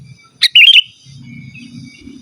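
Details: Sooty-headed bulbul song for calling rivals and tutoring caged birds: one brief, bubbly phrase of quick wavering whistled notes, with soft low rumbling before and after.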